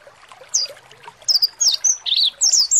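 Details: Mountain white-eye, a caged bird, answering a provoking recording meant to make it open its beak and sing; short high whistled notes sliding downward, scattered then quickening into a run of rapid chirps.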